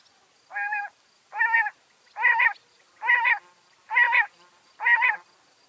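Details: Washington State backyard bird repeating a nasal, reedy, slightly descending call six times, close to one note per second, each call lasting about half a second, with a clean quiet background.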